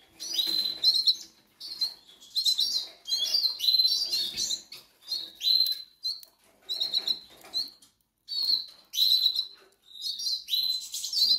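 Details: Hungry goldfinch nestlings begging, apparently in the Canary Islands: bursts of high, thin, buzzy chirps repeated in rapid clusters about every second, with soft rustling and flutter between bursts.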